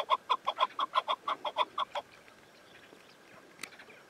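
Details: Chukar partridge giving a burst of about ten loud, evenly spaced chuk notes over two seconds, then falling silent apart from faint background noise and one sharp click.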